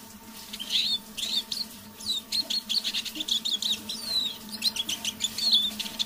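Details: Kept Eurasian siskin, a decoy bird, singing softly in the evening: a rapid twittering of chirps, trills and thin upslurred whistles, with brief pauses between phrases, over a faint steady low hum.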